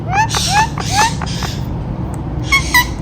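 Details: Indian ringneck parakeet, a talking bird: three quick upward-sliding voiced syllables, then a brief pause and two thin high squeaks, over a low background hum.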